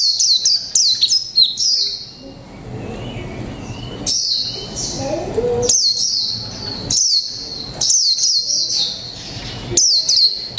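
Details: A one-month-caged 'mộc tinh' Japanese white-eye delivers 'líu pha chòe trống' song: rapid clusters of piercing high whistles and sweeps, broken by brief gaps, repeated throughout, over a soft low background murmur.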